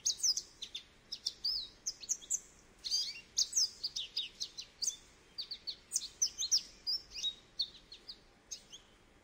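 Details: Goldfinch pouring out a long twittering song of bright, high chirps, buzzy notes and quick trills in rapid bursts.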